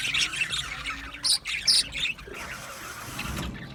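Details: Flock of male budgerigars in an aviary, 8 December 2025, uttering piercing squeaky chirps and a few loud harsh squawks in quick succession amid steady group chatter.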